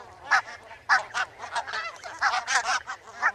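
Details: Barnacle geese giving short, sharp yapping honks in quick irregular succession, several birds overlapping, with a low hum underneath.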